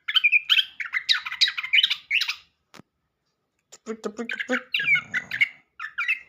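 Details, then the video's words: {'caption': 'Orange-headed thrush singing to lure a silent bird into song: harsh, squawky chattering phrases, a brief pause, then more scratchy notes over a faint low rumble.'} "anis kembang gaya kekinia pancingan burung bisu"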